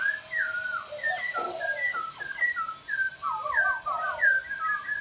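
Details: Laughingthrush chirping: a steady run of clear whistled notes, mostly slurred downward, following each other quickly with short rising and falling turns, over a softer, lower warbling strand throughout.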